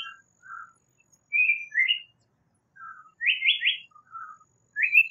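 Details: Japanese paradise flycatcher singing: a short low double note, then a level whistle and a falling slur, and later a quick run of three rising, buzzy notes. Brief pauses separate the phrases, with a final rising note in a quiet setting.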